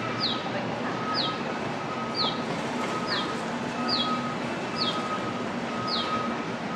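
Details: Birds singing on the airfield at Daniel K. Inouye International Airport, said to be very used to humans: seven sharp, high, down-slurred whistled notes, one roughly every second, over a steady broad hiss of airport noise.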